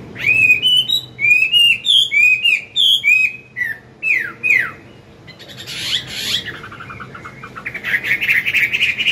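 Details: Wild-caught caged Chinese hwamei singing its morning forest song for training newly caught birds. About three and a half seconds of loud, looping whistles ending in down-slurred notes, followed by softer, noisier chattering and rustling.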